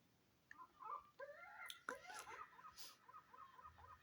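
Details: A seagull on a roof gives a series of harsh, nasal, laughing calls that rise and fall in quick strokes, repeated several times a second, with faint background noise.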